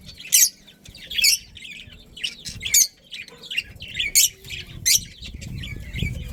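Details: Budgerigars, Australian parrots in a breeding colony, make sharp squawks and chirrups in spaced bursts with softer warbling between, and low rumbling near the end.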